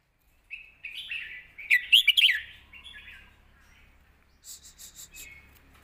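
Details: Red-whiskered bulbul sings a scoring song used to train young birds: a gentle warble rising into a burst of loud, tumbling, bright notes, fading into soft phrases, with faint high chirping near the end.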